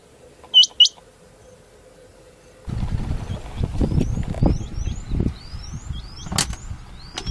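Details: Male and female rain quail walking in jungle grassland: a rain quail gives a sharp, high, metallic double note, then rustling and wind noise take over with faint thin chirps from other birds.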